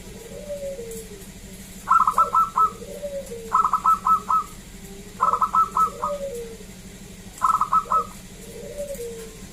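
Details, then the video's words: Zebra dove, local type, singing loudly to invite others to call. Four evenly spaced phrases of rapid clipped notes, each followed by lower rolling coos. "Perkutut lokal Gacor SUARA ASLI KRISTAL MERDU Ampuh Mengundang Bunyi Semua Perkutut Lokal"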